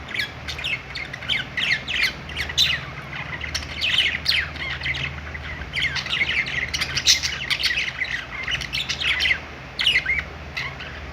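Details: A group of budgerigars on a perch in a pet store keeps up constant twittering, with quick high chirps, buzzy notes and occasional squawks overlapping throughout and a steady low hum beneath.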